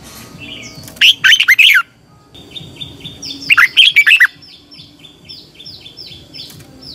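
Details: Red-whiskered bulbul singing a training song meant to rouse a caged bird: two bright, rapid warbled phrases of whistled notes a couple of seconds apart, followed by a softer series of short repeated chirps.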